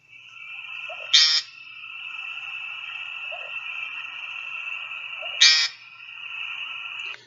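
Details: American Woodcock ground song at dusk: two harsh, nasal, buzzy peent notes about four seconds apart, each with a soft low hiccup as the bird sucks in air, over a steady high insect drone.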